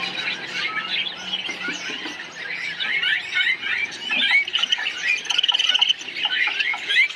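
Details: A colony of parakeets chirping: many birds chattering at once in busy high, squawky twitters and short rising squeaks, with quick rattling bursts near the end and no pause in the noise.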